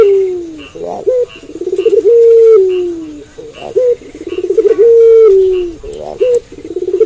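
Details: Night-time cooing of a puter pelung dove. Repeated phrases: a short clipped note, a throbbing pulsed run, then a long drawn-out coo that sags at the end, about three phrases in seven seconds.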